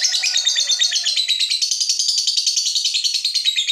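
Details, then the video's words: Long ngekek chatter of a lovebird, played to coax silent birds into song: rapid, rattling high-pitched notes pour out continuously, with a faint lower tone early on. "Pancingan SUARA BURUNG LOVEBIRD INI"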